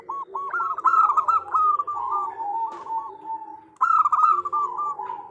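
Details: Local female zebra dove calling to a male; long bubbling series of fast coos that trails off into a level, fading note, then a fresh loud rolling burst.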